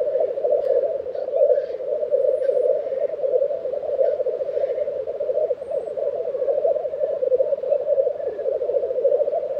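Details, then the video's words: A black grouse lek in April 2023 in Tiveden, Sweden, sounds as a steady, dense, low bubbling chorus, broken occasionally by faint clicks and distant hissing notes. "Black Grouse Lek - sound recording"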